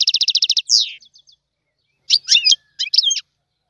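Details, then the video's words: Goldfinch song in the tiwawati style. It opens with a quick run of about ten bright repeated notes and a slurred downward note, then after a pause come twisting liquid phrases. "تغريد الحسون طيواواطي"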